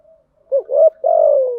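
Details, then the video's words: Female spotted dove used as a lure to excite male doves, giving one coo phrase: a short low note, a brief rising note, then a long, steady, slightly falling coo. The background is quiet. "Tiếng chim cu gáy mồi giọng lôi cuốn hấp dẫn đủ bài[ THÚC GÙ , GÁY GỌI ]"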